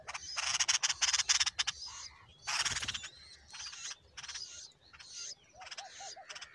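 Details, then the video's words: Bulbul chicks being fed a huge worm by a parent give a rapid burst of harsh, hissy begging calls, then scattered squeaky notes and a few soft, rising chirps. "The bulbul is feeding its babies a huge worm"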